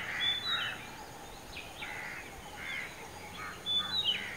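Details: Oriental magpie-robin singing from atop a dead coconut tree about 15 m high at Kankavli, Sindhudurg district, Maharashtra; varied whistled phrases with clear high notes near the start and end, amid soft background hiss.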